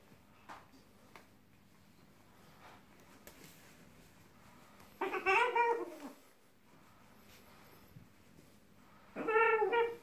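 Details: A male green-winged macaw, wrapped in towels drying after his shower, gives two drawn-out, wavering, nasal squawks about four seconds apart, each lasting roughly a second. Faint clicks and taps sound in a quiet room.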